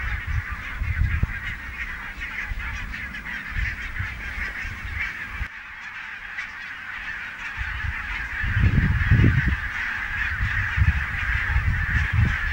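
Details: Autumn flock of barnacle geese at Niittylahti, Savonlinna, on 5 October 2017: a sustained mass of overlapping barking calls runs throughout, with a brief dip midway and heavy low wind rumble returning near the end.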